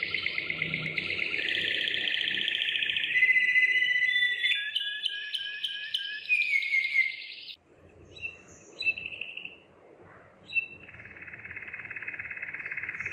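Waterslager canary singing a continuous run of rolling trills and bubbling tours, mid-high pitched, with short water-like warbles after a brief pause.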